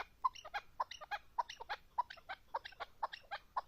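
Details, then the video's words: Chukar partridge calling: a steady run of short, clucking chuck notes, each with a bright harmonic overtone, coming roughly three times a second over a quiet background. "partridge keklik sesi"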